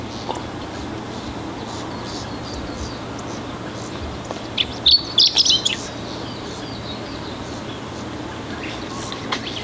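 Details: Chestnut-eared bunting at Oku-Nikko, Japan, giving one brief burst of song, a rapid cluster of sharp high chirps lasting about a second midway through an otherwise quiet stretch of soft ambient hiss.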